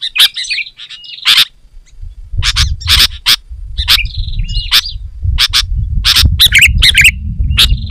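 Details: Lively sooty-headed bulbul song meant to draw in wild bulbuls: warbled, wavering whistles open the passage, then sharp noisy chirps at irregular intervals, with a low hum building behind them.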